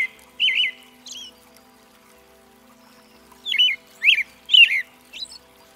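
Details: American robin, also called red-breasted thrush, singing: warbled caroling phrases, each a short rising-and-falling slur, one early pair then a tighter run of four or five after a pause.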